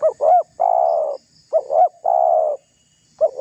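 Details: Lively-calling spotted dove used as lure to provoke rivals into anger, in the pressing, menguku style: two short bent notes followed by one long steady coo, the phrase repeated three times with brief silences.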